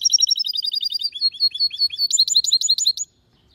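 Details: Singing goldfinch hybrid: a rapid rattling trill slowing into spaced chirps, then a burst of sharp high notes before the song stops.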